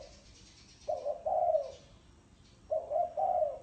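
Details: Cooing of a spotted dove in the thổ sấm style: two deep, throaty phrases, each a brief opening coo and then a longer slurred double note, with a quiet gap between.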